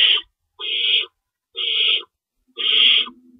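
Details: Owls at a nest during feeding time, 3:53 AM on March 25, 2012, with two rabbits stored in the nest. Four harsh, hissing screeches of about half a second each, roughly one per second, with short silences between.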